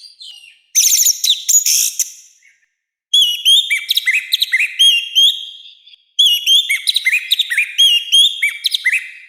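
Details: Loud, coarse orange-headed thrush song: a harsh buzzy burst, a pause, then two long phrases of rapid, slurred whistles that waver up and down, each phrase several seconds long.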